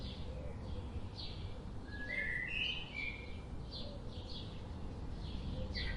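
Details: Several birds calling: high brief chirps scattered throughout, with a louder run of clear whistled notes in the middle, some rising, over faint low hoots and constant background noise.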